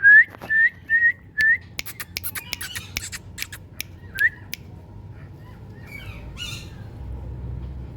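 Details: Rose-ringed parakeet, described as a talking parrot, gives five short whistled notes near the same pitch in quick succession, each sliding slightly upward. Sharp clicks and a brief buzzy burst follow over a low steady hum.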